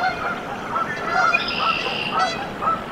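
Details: Canada goose nest with goslings hatching, Decorah, Iowa, USA, 14 April 2024: a few thin piping notes and a brief harsh, buzzy honk in the middle, with steady background hiss.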